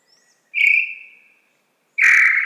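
Tataupa Tinamou giving two long, clear whistled notes, the first sliding slightly down and fading, the second starting abruptly about a second later.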